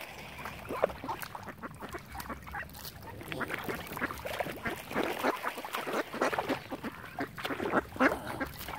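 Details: A flock of ducks on Lough Neagh, Oxford Island, Ireland, crowds around a swan family. Rapid, overlapping raspy quacks run without pause, about three or four calls per second, against a steady low hum.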